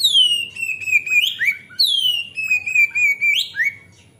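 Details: Oriental magpie-robin singing nonstop, used as a lure for untrained birds: a loud whistle sliding down then holding level, ending in a sharp upward flick and a short rising note, repeated twice with faint chirps between.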